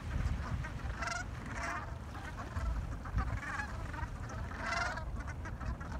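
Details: Gulls gathered before sunrise in New England, chattering together: hoarse, harmonic-rich squawks. Bursts come near one, one and a half and five seconds. A steady low rumble runs throughout.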